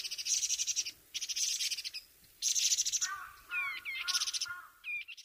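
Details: Taiwan barwing calling with harsh, buzzy bursts of about one second each, repeated three times, then lower wavering whistled notes and short rising upswept chirps.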